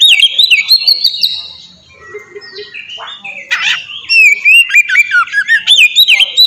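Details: Oriental magpie-robin giving a melodious open song used as training material; sustained wavering whistles, a quieter lull, a harsh burst, then a lively string of quick looping and downslurred whistles.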